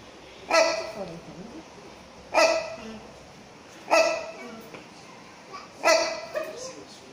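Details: Captive rhinoceros hornbill, subspecies silvestris, in Chester Zoo: four loud, nasal, barking honks repeated roughly every 1.7 seconds, each ending in a softer trailing note, with faint background noise.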